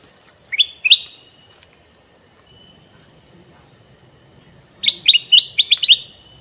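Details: Male sooty-headed bulbul with red eyes, used to lure wild bulbuls: a pair of upslurred chirps, a long pause, then a quicker run of six or so clear rising notes, with steady high background hiss.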